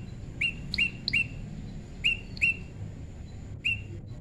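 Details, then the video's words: Tame prinia in natural pairing, giving short flat whistled notes with brief upward flicks, in loose pairs and singles over four seconds, amid a constant faint high tone and low background noise. "prenjak lumut jodohan alam/prenjak jinak/prenjak bawah/prenjak putih"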